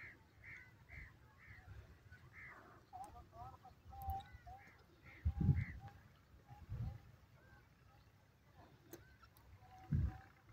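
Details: A francolin, recorded in the warm season, gives a run of short, harsh, evenly spaced notes, then lower clucking phrases, over low rumbling wind and handling noise.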